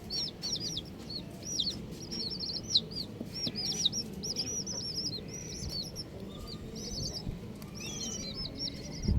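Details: A flock of colourful baby chicks cheeping in a dense, overlapping chorus. Quick high peeps run almost without pause, with a few short clicks and knocks beneath.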